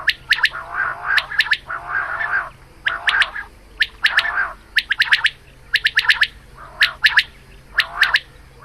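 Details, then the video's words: Morning calls of a female quail, recorded for hunting: crisp, piercing pips in tight runs of three or four, interleaved with grating, buzzy churrs, with a low constant hum underneath. "Batair Ki Awaz Shikar Ki liye | Quail Calling Batair Ka shikar | Female Batair Calling Suba"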